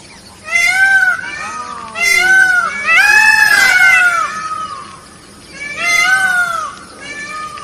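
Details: Peacock calling loudly: a series of harsh, wailing, nasal cries, each rising then falling, repeated in bursts about every one to two seconds, several overlapping, with a longer drawn-out scream in the middle.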